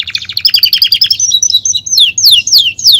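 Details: Caged Belgian canary singing: a fast train of bright chirped notes repeated about three per second, then sliding, descending whistled sweeps toward the end; loud and clean with no other sounds.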